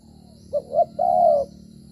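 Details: Wild spotted dove recorded during dove trapping on 25 September 2023, rainy season, at dusk near pineapple fields. It is a thổ-style singer that fights while moving and cooing. Two short hoots lead into one long, level, mellow coo, over a low steady hum.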